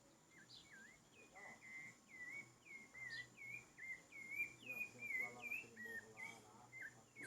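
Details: Rufous-bellied thrush singing: a long series of short, clear whistled phrases, each dipping and rising, repeated about every half second at a moderate pitch, with faint higher chirps and a steady background hum.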